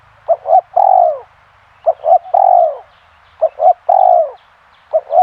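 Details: Spotted dove giving its phrase four times: two quick soft notes then a drawn-out, downslurred, breathy coo, each phrase roughly one and a half seconds apart, in quiet surroundings.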